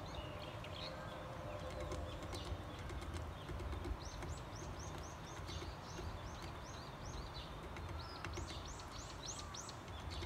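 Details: Varied tit eating sunflower seeds in spring, hammering them hard: rapid runs of short, high, arched notes over sharp repeated tapping clicks and a steady low rumble.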